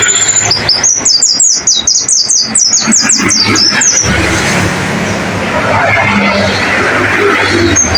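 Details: Training song of a white-eye (pleci), played to caged birds so they start singing: rapid, high, twittering notes sweeping up and down in a fast chattering run for four seconds, then giving way to loud broadband noise.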